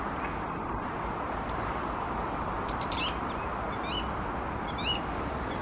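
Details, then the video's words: Small bird singing: short, sharp chirps and descending whistled notes, given in brief bursts roughly every second over steady broadband rushing noise, possibly wind or water. "Ten ptaszek śpiewa dla Ciebie"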